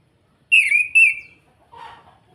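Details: Captive orange-headed thrush in Salatiga, Indonesia, calling in the kretekan style meant to provoke rival birds: two sharp, clear descending whistles in quick succession, followed by a short rough buzzy burst.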